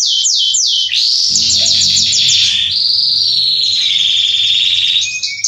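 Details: Male Belgian canary of the Salsa type singing to warm up other canaries: loud, continuous high song of rapid descending trills and buzzy rolled tours, shifting between pitch levels, with a steady sustained trill near the end.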